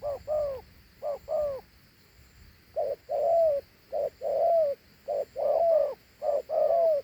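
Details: Large, handsome dove with a fine two-note coo: a short note, then a longer, descending coo. The pairs repeat about once a second, with short gaps between phrases and a faint steady hum in the background.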